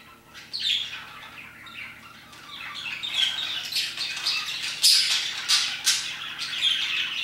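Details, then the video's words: Parakeets chirping around 2pm, starting soft and distant, then growing into quick repeated squawks and sharp chirps, nearly two per second near the end. "Parakeets chirping and singing their hearts out"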